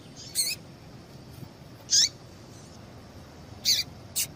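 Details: Female yellow-bellied seedeater giving calls to stimulate male singing. Irregular short, high chirps, some loud and some faint, scattered across several seconds over a gentle hiss.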